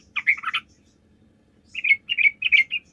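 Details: Lure song of a sooty-headed bulbul meant to make other bulbuls reply: a tumbling chattery phrase, a pause, then four bright liquid notes in quick succession over a soft low hum.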